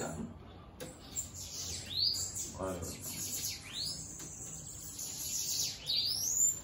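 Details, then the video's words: Free-flying Bananaquit (sibite) singing sharp, high, swooping sibilant phrases, spaced irregularly, with a brief human voice in the middle. "Sibite - VEJA O QUE ESSE SIBITE FEZ SOLTO !"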